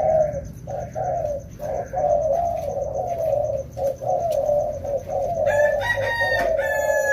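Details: Rainy-season training session with two wild-caught spotted doves: a near-continuous run of mellow, throaty coos in quick succession, roughly one per second, with a brief harsher higher sound toward the end and low background rumble.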